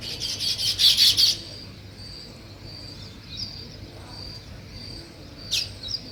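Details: Weaver birds building a nest: a dense burst of rapid, high, buzzy chirps for just over a second, then faint thin whistled notes repeated against a low steady hum.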